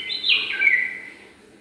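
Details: Bulbul of a pair preparing their nest in a garden: one brief, clear whistled phrase that steps up then slides down, fading out afterward.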